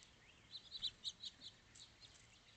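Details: House finch singing a short run of bright, chirpy high notes, clustered in quick bursts, against a quiet, faintly hissing background.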